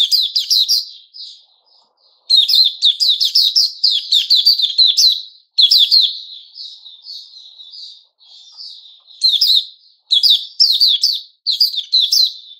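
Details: White-rumped shama of the type called Puteh Raja, recorded 29 August 2021, singing bursts of high whistled and chattering notes with sharp rapid flourishes, the phrases split by short pauses, with softer warbled passages between the loud runs.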